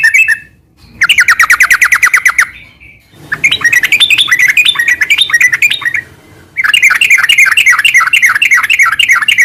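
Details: Sooty-headed bulbul in ngeropel style, played to coax moulting birds into singing: a short note, then bursts of fast rattling chatter separated by brief silences, with the last burst rising and falling like a wavy trill.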